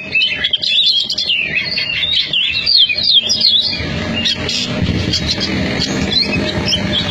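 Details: Oriental magpie-robin from a Cianjur competition team singing rapid whistled and chattering phrases for the first few seconds, then fainter notes under rising low rumbling noise.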